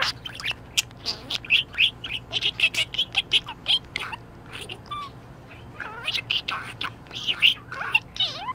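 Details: Happy budgerigar chattering in fast bursts of sharp, squeaky chirps and clicks, with a short pause, then more scratchy warbling and thin whistled slides.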